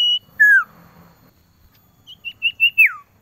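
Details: A male common iora calling a female gives a long, level whistle, then a slurred downward whistle, then four quick clear notes ending in a long falling whistle.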